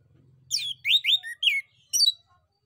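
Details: Male orange-headed thrush song played to provoke replies from other birds: a series of rich, slurred whistles that sweep downward, ending in a high, twittering phrase. A faint low hum runs under the opening.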